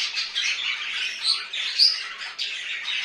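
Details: Home-kept budgerigars chattering in a short burst of scratchy, high warbling notes with a few sharp whistled peaks.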